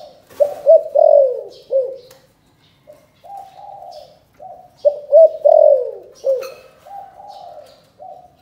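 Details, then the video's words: Calling coo of a spotted dove in the 'chụp chụp ô' style, Can Tho, Vietnam: two phrases of quick stuttered notes rolling into a loud, falling coo, then a softer level hum and short closing notes. Faint clicks in the background. "Chụp chụp ô gáy gọi Thái Vân hoa : Cu gáy Cần Thơ"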